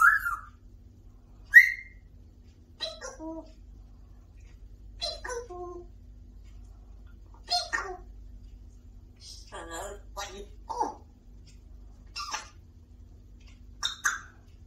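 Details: Talking African grey parrot chattering non stop, with a repertoire that includes the Arabic greeting Salam Waley Kum and Whats uppp. Short word-like syllables mix with clipped whistles at irregular gaps, over a quiet steady hum.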